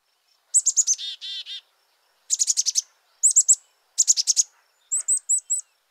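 Black-capped Chickadee giving its chick-a-dee call: a high, thin note or two followed by rapid buzzy dee notes, repeated in several bursts.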